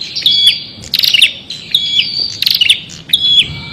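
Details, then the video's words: Prinia singing loud, high, sharp chirping phrases that alternate with short buzzy rattling bursts, about four phrases in under four seconds. The background is otherwise quiet. "SUARA BURUNG PRENJAK"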